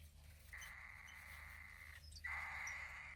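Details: A cockatiel chick aged about 15 days, a grey female from a pied cockatiel pair, gives two long, steady, hoarse hissing calls separated by a brief pause.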